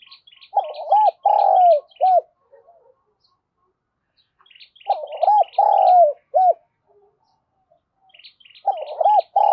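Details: A decoy spotted dove calls to attract wild doves, repeating its phrase of mellow arched coos and one long sliding note roughly every four seconds, while small birds chirp thinly above.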